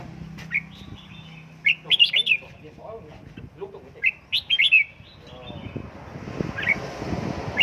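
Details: Red-whiskered bulbul kept and trained at home for căng lửa singing, giving short clusters of bright, slurred whistled notes in bursts with pauses between, plus a faint low hum and rustling underneath.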